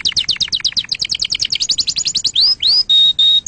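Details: Canary singing a rapid series of sharp chirps, then two rising whistles and two steady pure whistled notes.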